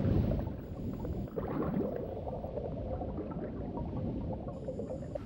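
Soft gurgling, bubbling water and low rumble fill the recording, with no animal calls heard.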